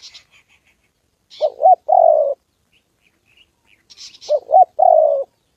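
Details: Spotted dove cooing during a decoy session with a wild dove and a female on the 2 September holiday. Two hoarse phrases, each a quavering double note and then a long sliding coo, with thin high chirps nearby.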